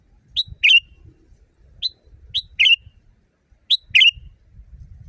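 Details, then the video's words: Training recording for caged birds: a loud sooty-headed bulbul in natural-sounding song, about five phrases in five seconds. Crisp lead notes pair with rich burry notes that tail off downward. Low rumbling noise behind. "Masteran burung kutilang di tempat raja kutilang. Suara keras fulll alam"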